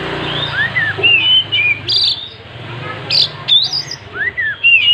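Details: Oriental magpie-robin in full song with its tail spread, giving clear whistled slurs that rise and fall, mixed with short sharp notes, over a steady low hum.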